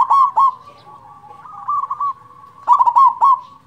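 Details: Local zebra dove with a strong voice, used as a lure for doves that rarely sing: sharp, clear coo notes open and close the phrase, with a soft rolling trill humming between them.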